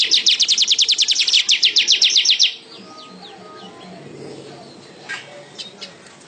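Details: Weaver pouring out a long, fast series of about twenty sharp, high ticking notes for over two seconds, then quiet with only faint distant chirps.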